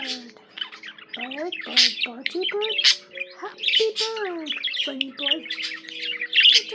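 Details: Pet budgie warbling in a continuous run of crackly chirps, clicks and short upward-sliding whistles, lively and uneven in rhythm.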